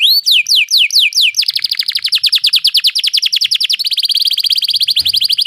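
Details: Trilling canary song for training other birds: a few slow swooping notes, then a long, rapid, dense roll of short repeated notes that speeds up and rises slightly near the end.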